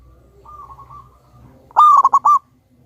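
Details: Local zebra dove, a loud, actively singing bird with a big voice, recorded as a lure song to prompt other doves: after a faint steady tone, one short burst of rolling, pulsed cooing notes, mid-pitched and ending in a clipped flourish.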